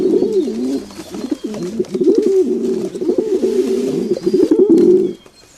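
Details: Domestic pigeons cooing steadily: low, throaty, rolling coos with wavering pitch, overlapping in a dense run for about five seconds before stopping, leaving near silence.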